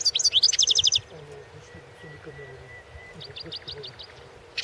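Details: European goldfinch recorded for a song championship, singing a bright burst of rapid high twittering notes, then a pause with faint background hum, and a short run of repeated high chips near the end.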